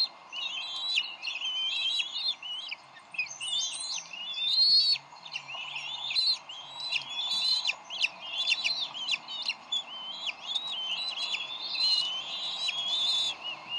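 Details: Adult bald eagles at the Decorah nest, 30 May 2012, in a brief argument over a fish at feeding time. A long, almost unbroken run of shrill, piping chitters, sharp staccato notes mixed with short whistled slides.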